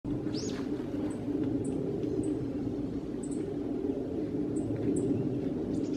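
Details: Black-faced bunting giving its ground call on 6 December 2014: thin, very high, short 'tsip' notes spaced irregularly about every half second to a second, over a steady low rumble.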